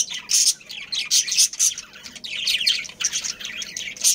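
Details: A budgerigar family with a breeding pair makes high squawks and chirps in uneven bursts, with the quietest stretch in the middle.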